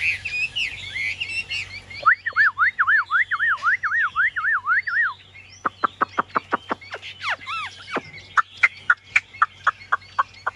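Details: Caged Chinese hwamei, the bird on the right, singing a varied song: a quick run of looping up-and-down whistled notes, then bright clipped whistles repeated about twice a second with a few slurred phrases, over a steady low hum.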